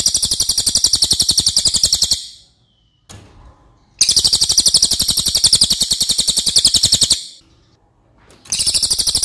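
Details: Racket-tailed treepie, a loud-voiced crow relative used to train other songbirds: two extended runs of fast, bright, scratchy chatter, about four notes per second, with a quiet pause between and a fresh burst at the end.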